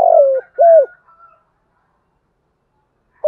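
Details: Spotted dove, deep-toned 'giọng thổ' urging coo: the end of a phrase, a grainy falling purr then a rounded clear coo. Faint higher whistling overlaps, then silence until a new note starts at the very end.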